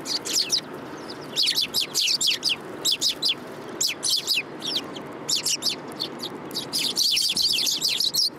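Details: Urban sparrows arriving for food, recorded 30 November 2015, chirping almost continuously. Bright, high, clipped notes come in overlapping bursts from several birds against faint city background noise.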